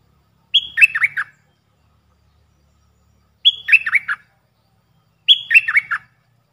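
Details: Three matching phrases from a Puff-throated bulbul decoy used to teach young birds: each opens with a level whistle, then three falling, bubbly notes, with a long pause after the first.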